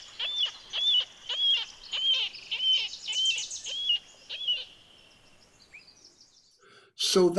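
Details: A Marbled Murrelet gives about ten sharp, high, gull-like keer notes, two or three per second, then a brief loud clatter. This is the call listened for at first light near Mount Rainier, which parents use to locate each other.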